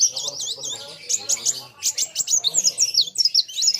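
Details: Sunbird in a lively contest with a rival: loops of high, curling notes and sharp clicking chirps, with a low murmur of voices faintly underneath.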